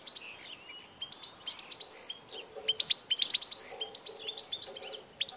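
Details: European goldfinch on 16 March 2014: quieter mix of sharp chirps and twittering phrases over a noticeable hiss and low background murmur.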